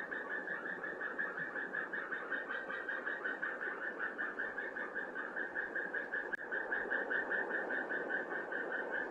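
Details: A pair of white-tailed eagles at a Norwegian nest on 8 February 2017, the male having brought hay and both out on the nest, duetting in a long, fast run of sharp yelping notes, about two or three per second, over a steady low hiss.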